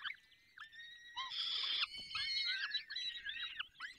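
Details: Falcons at their nest in the Barycz Valley while being fed: a thin call, then a loud, rasping, drawn-out squeal, followed by a run of shorter, wavering, looping squeaky calls.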